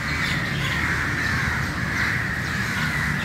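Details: Early-morning assembly of many crows, their coarse caws overlapping into an unbroken noisy chorus with low-frequency background rumble.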